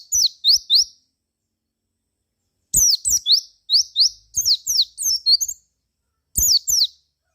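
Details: Javan white-eye song used as a lure to make other white-eyes answer and sing: bursts of high, sharp chirps, steep downward sweeps alternating with short rising whistles, separated by pauses of about two seconds.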